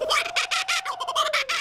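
Laughing Kookaburra in a loud, rapid cackling burst of harsh, laugh-like notes, about six to eight a second, with a steady hum underneath.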